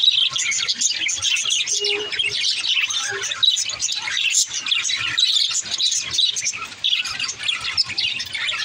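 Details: Budgerigars conversing in a lively, unbroken stream of high chirping and warbling, with a short low whistled note early on and occasional louder squeaks.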